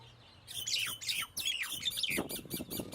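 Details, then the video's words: Common myna (Acridotheres tristis) making rough, grating squawks with descending slurred notes. Several harsh bursts follow one another quickly and overlap, ending in noisy chatter. "طائر المينا │ Myna Bird"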